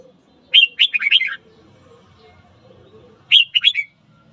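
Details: Red-whiskered bulbul singing in the morning, used to stir up fighting: two bursts of bright, warbled whistled notes, the first a run of about five quick notes, the second shorter, separated by a quiet gap with faint background hum.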